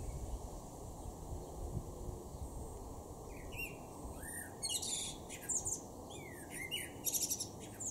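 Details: A male common blackbird (Turdus merula) in a garden in Norden, East Frisia, northwest Germany, in June 2023 sings mellow, fluted whistles, each phrase ending in a thin, squeaky twitter, over a steady hum and rushing background noise.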